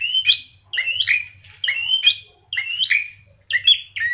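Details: Orange-headed thrush repeating a short slurred whistled phrase about once every second, each note sliding up then dropping, over a faint low hum; recording used to make pet birds sing.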